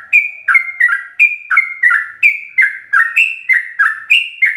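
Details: Rapid fluty bulbul phrases from a sooty-headed bulbul, each a high note dropping to a lower warble, about three per second, in full-fill-in song used for tutoring caged birds.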